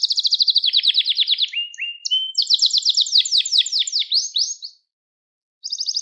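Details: Gloster canary song for stimulating and training canaries: a fast trill, lower buzzy roll, then rapid descending notes, a short silence, and a new high trill starting.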